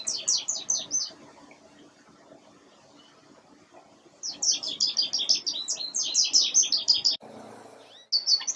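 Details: American goldfinch at a winter feeder sings a long, rambling run of high, bright twittering notes and sweet chirps, pausing briefly before resuming; faint background hum.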